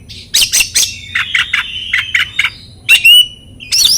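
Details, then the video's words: Oriental magpie-robin song used to stimulate silent birds. Rapid scratchy notes lead into a quick run of chattering syllables, then a sharp upward whistle and a final burst of harsh notes. "PANCINGAN BURUNG KACER cocok buat kacer bisu kacer macet bunyi kacer stres LANGSUNG NYAUT"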